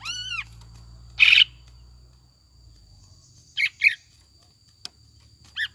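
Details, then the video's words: Lure recording of a greater green leafbird in gacor ngekek style with tengkek buto fill-in phrases: an arched whistle, a harsh burst, paired sharp chirps and a final short trill, separated by quiet gaps. "PANCINGAN CUCAK IJO GACOR JAMTROK NGEKEK ISIAN TENGKEK BUTO DAN LAINNYA"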